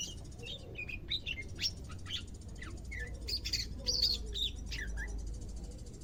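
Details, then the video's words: Pet greater green leafbird in its second day of care, becoming active: rapid jumble of high chirps, down-slurred whistles and bright ticks, roughly two per second, against faint hum. "HARI KE 2 PERAWATAN CUCAK IJO, SUDAH MULAI AKTIF BUNYI"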